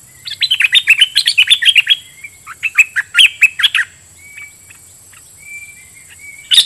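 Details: Decoy bulbul singing to wild birds: rapid bursts of bright chirping, warbled notes for about three seconds, then quieter thin whistles and a final loud note, over a steady high-pitched hiss.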